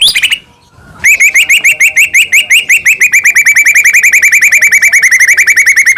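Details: After a brief high note and pause, a white-rumped shama repeats one rising whistled note very rapidly, about seven per second, in a long steady run; a lure song used to make shamas sing and get agitated.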